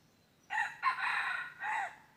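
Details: Crowing red junglefowl recorded on 23 January 2022 while wild junglefowl were being lured. One crow in three segments: an abrupt first note, a drawn-out rasping middle, and a shorter closing note that trails off downward.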